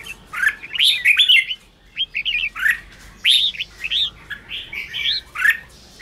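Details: Red-whiskered bulbul singing ché-style phrases that prompt caged, freshly wild-caught bulbuls to sing. Short twittering and whistled notes rise and fall in quick clusters, each burst followed by a brief silence.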